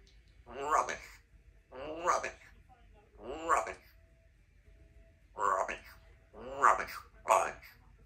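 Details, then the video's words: A 2-year-old female Congo African grey parrot talks at home in six short, voice-like phrases about a second apart, with clear human-sounding vowels, in a quiet room. "African Grey Talking Parrot"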